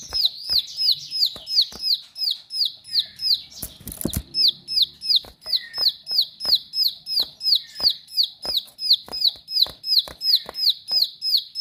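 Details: Bar-winged prinia, called ciblek sawah, singing sharply: a long steady series of clear, high, down-slurred whistled notes, about three per second, with scattered sharp clicks and a brief rustling burst.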